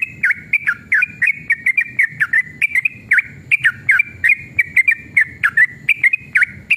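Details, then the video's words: A Yellow-vented Bulbul (trucukan) in a long, lively run of bubbly, whistled notes, two or three a second, with nothing else clearly heard. "trucukan gacor EMOSI ROPEL PANJANG"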